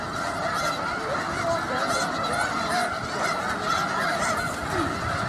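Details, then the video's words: Huge flock of snow geese in Skagit County, Washington, heard up close: a dense, unbroken wall of overlapping honks and yelps with no pauses, steady in loudness throughout. "Huge flock of snow geese in Skagit County"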